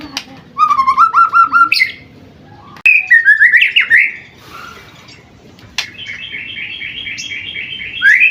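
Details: Young white-rumped shama, seven months old, singing: series of repeated whistled notes, a quick rising flourish, then a long buzzy chattering rattle ending in an upslurred whistle; faint background hum.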